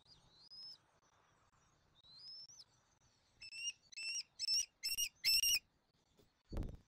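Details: Bald eagle at a Southwest Florida nest cam, eaglet E23 with adults F23 and M15, during the little one's dinner feeding on 13 January 2024: two thin rising whistles, then a quick series of loud harmonic chirps and a soft thump.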